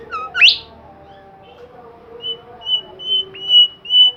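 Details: Bimoli bird singing actively: a sharp rising sweep, then a series of thin, level high whistles repeated about twice a second, over a steady low hum of tonal background sounds.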